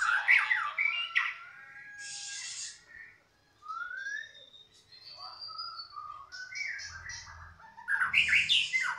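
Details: A White-rumped shama, a former contest winner with a six-white-feather (balak 6) tail pattern, sings a loud, varied song of rich whistles, a clean rising slur and harsh squawky bursts, with faint low thumps in the background.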